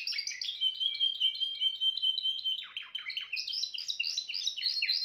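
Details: Timbrado canary song opening with a sustained steady whistled note, then breaking into fast repeated chirping trills that climb higher toward the end.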